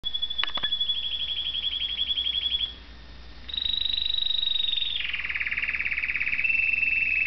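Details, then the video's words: Young male red factor canary, still a little shy in a new home, singing a series of rapid, high rolling trills, each held on a steady pitch before dropping to a lower, buzzier roll, with a brief click near the start. "the Canary singing"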